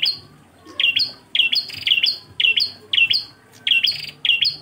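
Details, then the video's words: Bar-winged prinia giving engkel tutor song: loud, ringing high chirps clustered in twos and threes, each slightly down-slurred, bursts regularly spaced with short pauses and a faint buzzy undertone. "MASTERAN PRENJAK KLAWU ENGKEL"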